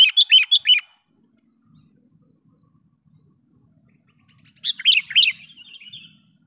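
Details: Lure call of a sooty-headed bulbul meant to draw in wild bulbuls: a fast burst of four bubbly chirps, a quiet gap with a faint low hum, then another short chirping phrase trailing off.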